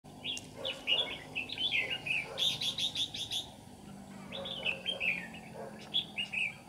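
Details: Caged decoy red-whiskered bulbul singing in the ché style to lure wild rival bulbuls into a trap: quick bursts of bright chattering, warbled notes, with a loud run of rapid repeated notes mid-phrase, over a faint low hum.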